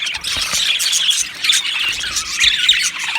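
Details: Australian budgerigars in an aviary colony, singing and chirping: dense, high chattering warbles with sharp squawks and squeals layered together, volume dipping briefly mid-way.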